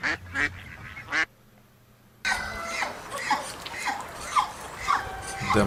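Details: Domestic village ducks give nasal, broken quacks in a busy farmyard, with a spoken voice briefly at the start and other fowl calling around them.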